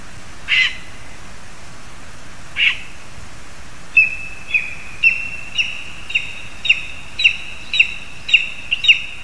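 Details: Lesser spotted eagle calling at a nest in a spruce in Zemgale, Latvia, where a frog is brought for the young: two high yelps, then a quickening run of sharp, high notes about twice a second over faint hiss.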